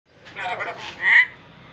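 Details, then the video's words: Parrot speaking clearly, imitating words: a short raspy, voice-like phrase, then a louder, higher, drawn-out syllable near the end, in a quiet room. "Raw parrot speaking clearly"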